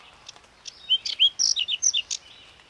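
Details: Whinchat song, a bird that sings from tall bushes and stems: a rapid string of short, sweet whistled and slurred notes mixed with clicky chips, high-pitched and closely spaced over about two seconds, with light background hiss.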